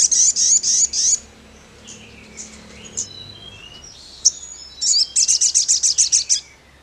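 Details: Sogon song: a quick run of piercing high chips, then faint scattered whistles and clicks, then a fresh series of rapid, evenly spaced, high chips.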